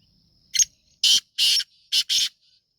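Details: Black francolin, a Sindhi nasal-style call of a kept bird: five loud harsh rasping notes in about two seconds, the first short, then paired broad buzzy bursts with brief gaps, no other sounds.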